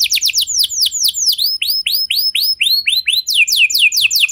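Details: Canary lure song for prompting other canaries: a quick series of sharp downswept whistled notes, about three per second, ending in a rapid high trill.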